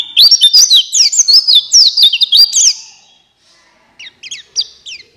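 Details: Buxtoni white-eye singing in gacor ngalas fashion to prompt silent white-eyes into song: three seconds of quick, high, tumbling warbles, a short pause, then scattered thin rising chirps.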